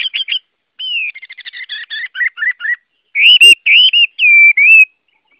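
A Chinese hwamei sings a rich, varied run of clear whistles, quick stuttering notes and slurred rising and falling phrases, with no other sounds.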